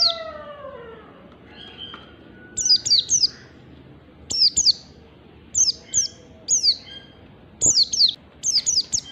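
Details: Oriental white-eye, wild type, as a lure sound: bursts of two to three piercing, high, downward-sliding notes every second or so. A faint low falling note is heard at the start.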